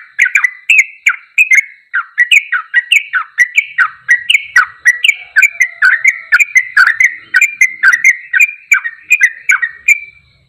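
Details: Long ropelan goklikan sequence from a sooty-headed bulbul: a steady chain of chirpy, slurred whistles dipping and rising, delivered rapidly for about ten seconds before stopping; nothing else audible.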